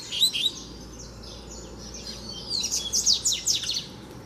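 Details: Free double-collared seedeater challenging a caged bird during fibre training: two short bursts of high, rapid chirped notes, one near the start and a longer twittering run later, over a steady low hum.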